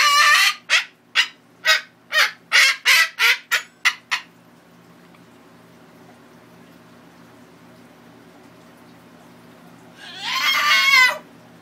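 An umbrella cockatoo gives a quick burst of harsh, raspy squawks, then one longer grating screech.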